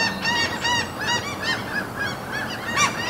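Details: Gulls at a fjord among mountains in Norway give harsh, nasal calls about every half second, several birds overlapping in a loud, rough chorus over a faint outdoor hiss.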